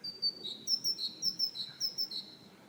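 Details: Repeated two-note whistles of a great tit, a bright higher note followed by a slightly lower one, cycling evenly several times.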